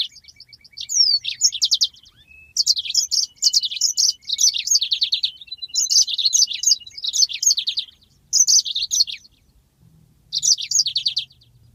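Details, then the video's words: Yellow-fronted canary singing a long rolling song, recorded as a master track for training birds: bursts of high, rapid trills and sweet chirps, repeated in phrases of one to two seconds with short pauses between. "masteran handal burung Mozambik ngeroll panjang"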